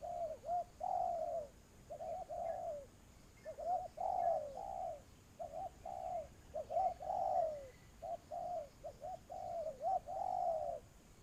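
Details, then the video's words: Spotted dove calls recorded during a trapping attempt with a ground decoy. Low, mellow coos with falling ends come in clustered phrases with short pauses between groups. "tiếng chim cu gáy"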